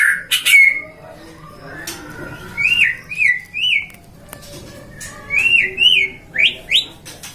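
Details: Captive-bred white-rumped shama from a Depok breeder, Indonesia: scattered short sharp chips, then pairs and runs of bright rising-falling whistled notes repeated in spaced bursts with quiet gaps between.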